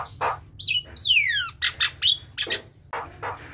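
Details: Javan myna (jalak kebo) chattering song: harsh scratchy notes, a rising then falling whistle, a long downward-sliding whistled note, then rasping bursts and a sharp high whistle, with a low hum behind.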